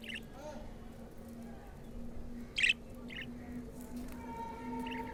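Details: Pet budgerigar, a black-face bird, chirping at play: a few clipped, scratchy notes with one louder harsh call in the middle, over a steady humming background with a faint whine.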